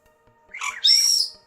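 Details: A pet parrot indoors, possibly a cockatoo, gives a brief raspy squawk that slides into a loud, clear, high whistled note.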